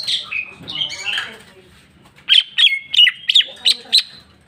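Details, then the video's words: Cucak ijo, the greater green leafbird, delivering its repertoire of learned phrases (isian): a jumble of warbled, slurred notes, a short quiet gap, then six sharp, loud, high notes repeated about every third of a second over a low background hum. "cucak ijo mewah ful jamtrok bongkar isian"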